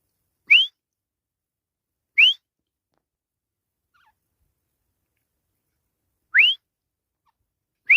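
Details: Grey francolin calling in the jungle: short, loud, rising whistled notes, clean and isolated, spaced about two to four seconds apart, with silence between.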